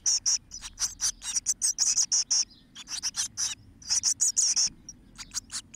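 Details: Eurasian blue tit nestlings on day 13 of rearing, 12 May 2017, give a dense, high chorus of short, hissy chirps in quick overlapping bursts, with brief pauses between runs.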